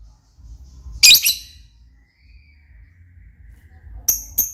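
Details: Lovebird giving one loud, harsh, shrill screech, followed after a quiet gap by two thin, clipped high peeps over low background murmur.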